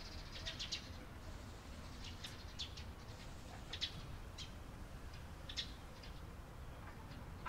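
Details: Eurasian tree sparrows (Passer montanus) on 28 April 2022 giving short, bright chirps in loose, irregular bursts over a steady low rumble of wind or distant traffic.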